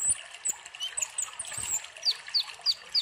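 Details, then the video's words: Sunbird song, a lure recording: thin, very high chirps and short descending whistles repeated about three times a second, with faint trickling water behind. "Pancingan kolibri ninja gacor"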